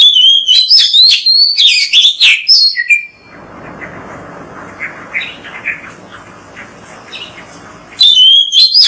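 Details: Oriental magpie-robin, recorded to encourage other magpie-robins to sing: bursts of loud, varied whistles and chirps at the start and end, with a quieter middle of faint, distant chatter.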